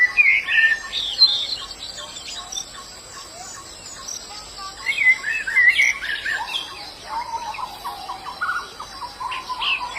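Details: Wild white-eye twittering: short high chirps in quick irregular bursts with a few lower slurred notes, other bird sounds and an insect hum behind.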